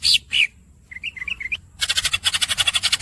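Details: Greater green leafbird masteran: two harsh chirps, a quick run of warbled whistled notes, then a dense rasping roll pulsing about four times a second.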